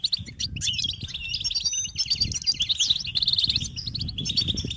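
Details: European goldfinches chatter collectively, said to prompt males to sing: bright, tumbling twitters and buzzy trills in a continuous high stream, with a low rumbling noise underneath.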